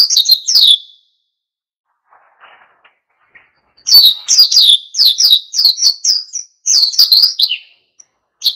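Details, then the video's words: Oriental white-eye singing hard in wild ngalas style to stir other birds to sing: a short burst of high twittering, a quiet gap of about three seconds, then a longer lively chattering phrase of rapid chirps. "SUARA PLECI GACOR NGALAS PANCING EMOSI BURUNG LAIN IKUT GACOR"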